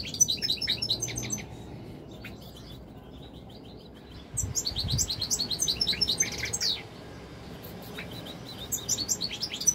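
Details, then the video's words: Captive European goldfinch singing fast, liquid twittering phrases with buzzy trills, three bursts broken by short pauses, steady low hum behind. "تغريد طائر الحسون الملكي 2021 / jilguero chant chardonneret"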